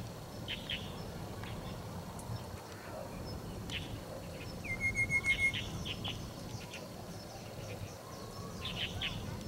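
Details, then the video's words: Two Rufous-capped Babblers weaving through bush at Metropolitan Park, Taichung City, on 13 November 2021, giving soft, high, scattered chirps with a brief flat whistle midway over a steady low rumble. "Rufous-capped Babbler_chirping"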